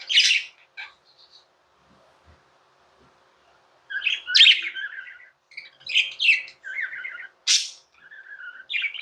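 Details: Pet budgies chirping: a loud squeak and a few soft notes, a quiet stretch, then renewed lively chatter of buzzy warbles and sharp high squeaks, over a faint hum.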